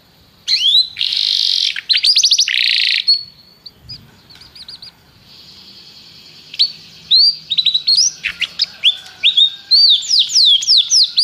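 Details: ['Canary song starting with a loud buzzy burst and rapid rattling notes, a quieter stretch of soft chirps, then strings of quick rising and falling whistled notes building again.']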